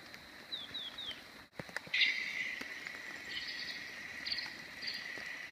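Grey-headed parrotbill giving three quick, high downslurred notes, followed by a steady, thin buzzing tone over a soft rural background hiss.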